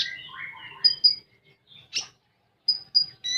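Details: Common iora, or konin, delivering 'full tembakan' song: descending warbled whistles, a pair of piercing high pips, a lone rasp, then more pips after a short silence.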